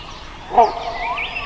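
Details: Wild great hornbill giving a single loud, harsh, barking note, short and guttural, over a soft background with faint higher bird calls.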